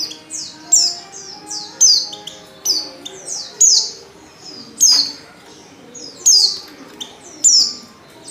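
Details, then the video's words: Female white-eye summoning a male while in breeding condition. Steady stream of high, thin, steeply falling notes, often doubled, with brief pauses between groups. "Burung | Pleci | betina | Birahi Memanggil jantan"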